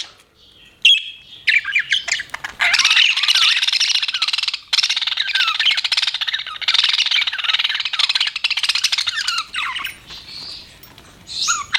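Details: Several budgerigars keep up a long continuous chattering warble, full of rapid squeaky and scratchy notes, with brief sweeping whistles toward the end.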